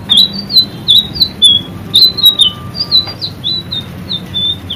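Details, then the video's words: White-rumped shama singing energetically for a caged-bird training recording: clipped high whistles and chirps in quick succession, a faint level tone mid-clip, low background rumble. "masteran burung murai selendang biru gacor"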